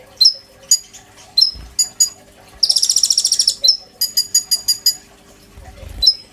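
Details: Oriental magpie-robin song with mimicked phrases, used as a master song for training kolibri ninja birds: spaced chirps and whistles, a dense buzzy trill lasting about a second, then quick groups of repeated notes, with faint low thumps.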